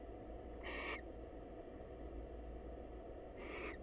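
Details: Wild barn owl at a nest box, a female visiting the male to greet him: two brief rasping screeches roughly three seconds apart over a constant low hum.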